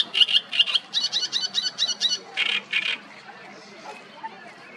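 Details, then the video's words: Great reed warbler singing from 5-6 m on the bank of the Nioman river in Hrodna city, W Belarus, 31 May 2024: loud, harsh, grating notes in quick repeated bursts for about three seconds, then quiet against faint background noise. "Great reed warbler singing close by"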